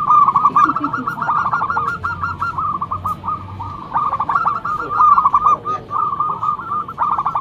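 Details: Loud song of a local zebra dove meant for luring, dense rolling coo notes in repeated bursts, with a soft low hum early on.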